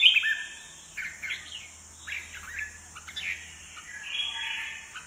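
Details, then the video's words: Kept red-whiskered bulbul singing aggressively while hopping on its perch and fanning its wings; a string of short warbled phrases roughly each second, fairly soft, over a steady high hiss and a low hum. "chào mào siêu lân , sàn cầu , xòe cánh ruồi ché đè"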